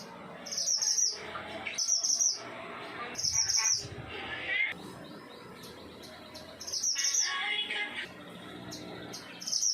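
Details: Pied triller, known locally as mantenan gunung, just beginning to sing in short phrases: bursts of high, sharp, buzzy chirps repeated every one to two seconds, with a louder, lower chattering phrase near the end.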